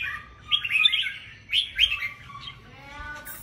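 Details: Red-whiskered bulbul (chào mào bông) singing at a caged-bird singing competition: short bright chirpy warbled phrases in two bursts, quick rising and falling notes, then fainter lower harmonic sounds at the end.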